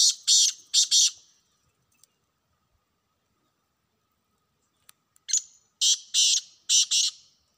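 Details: Two grating call phrases from a wild black francolin in a hunting setting: a pair of rasping notes, a long quiet gap with faint clicks, then a full series of five harsh, buzzy notes.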